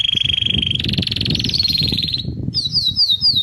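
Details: Canary song from 11 January 2024: long rolling trills held on one pitch, stepping higher, then a pause and a series of repeated quick falling whistles, with low-pitched background noise.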